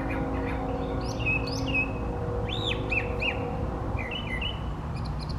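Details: Male brown thrasher singing from a tree during a long singing bout, delivering varied whistled and slurred phrases around mid pitch, including a paired pair of arching notes, over a steady low rumble of background noise.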